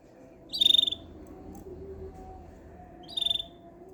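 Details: Two quick pulsed canary chirps, each a tight rattle of several rapid high notes, separated by roughly two and a half seconds, with a droning hum underneath.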